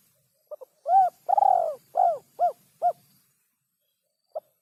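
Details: Spotted dove phrase played to lure birds for trapping: two tiny introductory notes, a long arched coo, a rough trembling coo, then three shorter falling coos, followed by one faint note.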